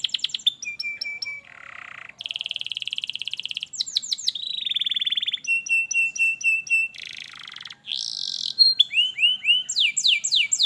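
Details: Canary song meant to coax a lazy canary to sing: varied phrases of buzzy rattles, steady whistled tones, clipped repeated notes and rising-falling sweeps, changing every second or so.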